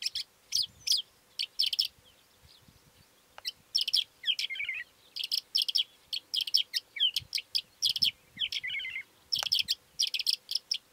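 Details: Calandra lark singing a long, continuous stream of rapid scratchy high chirps and buzzy bursts, broken by a few descending whistled slurs, with short pauses between phrases and faint low rumbling beneath.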